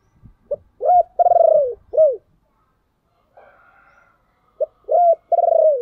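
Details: Spotted dove decoy calling to entice wild birds: a full cooing phrase of lead note, arched coo, rolled long coo and falling coo, a faint hum in the pause, then the phrase starting again.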